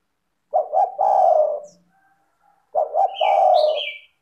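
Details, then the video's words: Spotted dove in full, clear song meant to set other doves singing: two deep phrases of two quick notes and a long, smooth, slightly falling coo, about two seconds apart; a higher whistled chirp overlaps the second phrase. "PANCINGAN suara tekukur gacor rapat merdu dan jernih"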